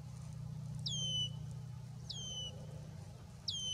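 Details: Male red-winged blackbird announcing its territory: three clear whistled notes, each sliding sharply down then holding level, spaced about 1.2 seconds apart over a steady low rumble.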